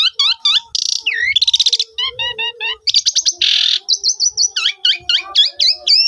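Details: Phone recording of Asian pied starling song meant to stimulate stalled starlings into full song: fast sequences of sharp rising and falling whistled notes, dense harsh chattering bursts, and repeated clear upslurred whistles in quick succession.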